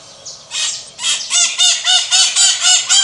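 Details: Maritaca (Pionus parrot) starting with a faint squeal, then launching into a steady, evenly spaced run of loud grating squawks, about four each second, harsh and metallic in tone.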